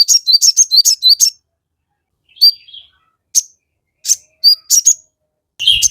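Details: Crested jay singing to provoke other birds into answering: a fast run of high, sharp chirps, a pause, then scattered thin notes and short chirp clusters, ending in a harsh burst.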